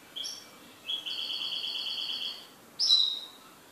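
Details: A pet goldfinch gives a short high chirp, then a long, even, buzzy trill lasting over a second, a brief pause, and a sharp, loud, downward-sliding note.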